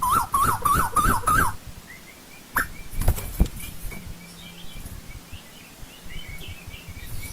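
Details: Asian koel in old-growth forest: a quick run of five wavering, whistled notes in about one and a half seconds, then faint distant chirps and a few soft knocks.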